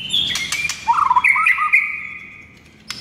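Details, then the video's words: White-rumped shama masteran training song, the bird singing actively in the morning: loud clear whistled notes rising to a brief warbled phrase, then a long level whistle fading out, with a few sharp clicks. "MASTERAN MURAI BATU GACOR PAGI HARI INI"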